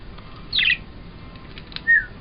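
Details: Budgerigars squabble over sharing, with a burst of harsh, warbling chatter, then a short clear chirp.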